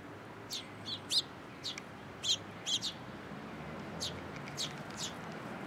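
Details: Sparrows at a Tenmangu shrine on 22 October 2022, coming to a post to be fed: short, high, scattered chirps, about ten in under six seconds, faint above a steady low background hum.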